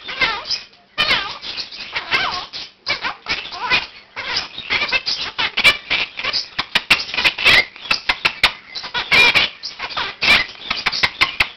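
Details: At 7 am a one-year-old male Quaker parakeet in a room with other birds starts his daily wake-up call, practising learned words; dense, nonstop chattering squawks and sharp clicks, with bursts of talk-like babble.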